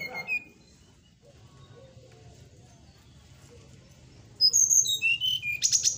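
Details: After several seconds of quiet low rumble, a bird bursts into morning song for training cage birds: bright high whistles tumbling downward, ending in a buzzy high trill.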